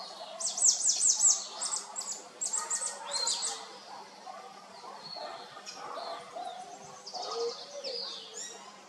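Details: Gray kingbird perched early in the morning, preening and singing, calling out to other kingbirds: bursts of high, sharp chattering notes in quick runs, louder at the start, then thinner trills and softer faint calls.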